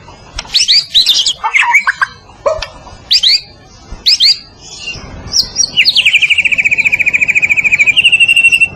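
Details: White-rumped shama (Copsychus malabaricus) of the Medan type, a champion-style song: loud, varied whistled phrases with sharp sweeps, ending in a long rapid trill of about twenty notes.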